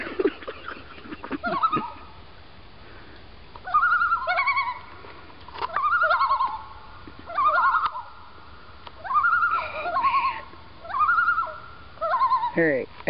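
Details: Pair of wild common loons passing along a Maine lakeshore trade rapid wavering tremolo calls, around seven bursts of laughing quavers, each about a second long, in quiet surroundings.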